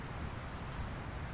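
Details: Scarlet-backed flowerpecker uttering a rapid pair of thin, very high, clipped notes, the second slightly rising, a quarter-second apart, with only faint low background rumble.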